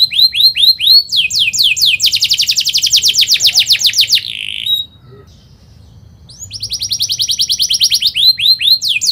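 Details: Canary with fast, emotional rolling song for tutoring young birds: upswept chirps, long rapid descending trill, near silence, then renewed sweeping notes and chirps.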